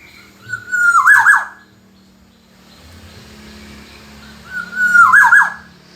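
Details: Black-naped oriole (kepodang emas) singing on a song-tutoring recording: two fluty whistled phrases about four seconds apart, each a smooth sliding whistle that breaks into rich, liquid warbled notes, over a faint low hum.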